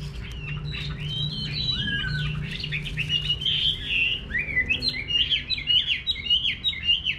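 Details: Countryside garden hwamei song: long, sweeping, slurred whistles give way to a quicker run of short, bouncing notes. A low background hum continues throughout.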